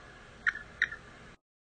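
An Andean goose gives two short, high whistled notes about a third of a second apart, over faint background hiss.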